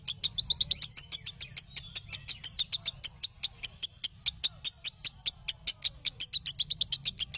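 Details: Lovebird song used as training audio for teaching other lovebirds a more varied song: a steady run of sharp, high chirps, about five per second, briefly quickening near the end, with a low hum beneath.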